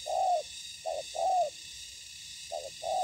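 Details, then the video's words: Spotted dove heard in ground-decoy trapping of wild doves; two-part coo phrases, a brief note then a longer crooning note, repeated after short pauses, over a faint steady hiss. "Bẫy cu gáy mồi đất"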